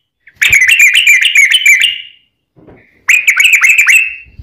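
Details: Yellow-vented bulbul singing in the long, rapid 'ropel panjang' style, played so other bulbuls reply: two dense bursts of fast, bubbling, buzzy notes separated by a short silence.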